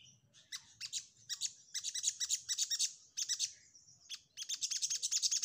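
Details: Orange-headed thrush (sogok ontong) in rapid 'nyecret' chatter: dense, fast high stuttering notes running almost without break, a brief pause, then another long chattering run.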